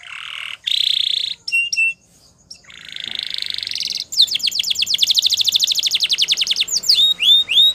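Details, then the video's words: Belgian canary singing to train other canaries. Loud buzzy notes and clear short whistles, a long rising buzz, then a rapid even trill and finally a few looping slurred whistles. "Belgie Canary Seduces All Canaries To Sing / Canary Singing For Training"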